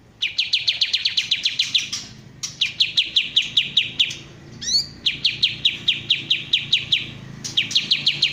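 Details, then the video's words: Bulbul known locally as kapas tembak singing rapid bursts of sharp, high chattering notes, about ten quick repeated notes per burst, in four bursts separated by brief pauses, with one rising sweep between bursts; faint low background noise. "suara asli kapas tembak"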